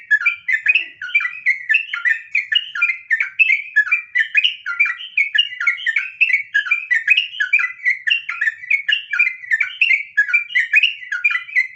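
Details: Long, unbroken song from a sooty-headed bulbul in the nggaruda ngropel style, used as a lure to get other trucukan singing. Chattering whistled notes tumble on steadily for twelve seconds, dense and even in loudness.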